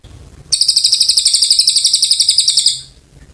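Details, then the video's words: Oriental white-eye, locally called cililin, singing a long, lively song used as a tutor recording for magpie-robins: a fast, high, buzzy trill of about two dozen evenly repeated notes lasting over two seconds, then fading, over quiet background. "Cililin gacor panjang"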